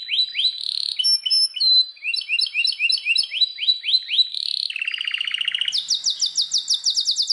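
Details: Belgian canary singing: quick rising sweeps repeated in a bright trill, a sudden lower buzzy rattle near the fifth second, then a very fast high trill to the end.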